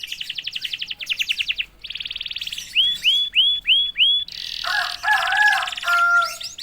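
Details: After one prompt, a previously quiet canary delivers rapid pulsed trills, a buzzy roll, five loud rising whistled notes, then dense buzzy and lower warbling phrases ending in sweeps.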